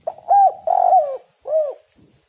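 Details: Lure recording of a spotted dove giving its full phrase: a short opening note, a smooth arched coo, a long burry coo falling at the end, then a separate clear downslurred coo. The background is quiet.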